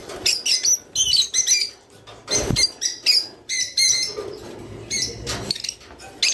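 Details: Java sparrow song used to prompt breeding: sharp high chirps and clicking twitters in uneven bursts, with a brief soft rustle midway.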